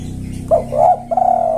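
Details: Spotted dove used as a lure to call males: three short, low hooting coos, the last drawn out and steady, over a constant low hum.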